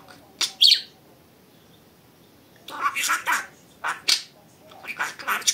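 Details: Budgerigar kept as a pet gives a loud squawk, falls silent about two seconds, then runs into rapid raspy mimicked words and chirps.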